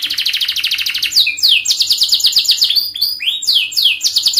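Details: Young-canary training song from an adult canary: a rapid pulsing trill, then a run of swooping downslurred whistles and quick chattering trills, loud and unbroken.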